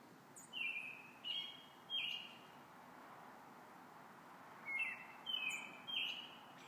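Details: A robin's evening song: two bursts of three clear, whistled phrases, with a pause of about two seconds between groups, over a soft steady hiss.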